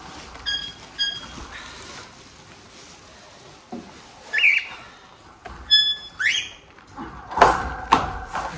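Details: Cockatiel kept by a breeder in Tokachi, Hokkaido, Japan, heard during cage cleaning: short whistled calls with rising sweeps, a squawk, scattered among loud clattering and cleaning noises.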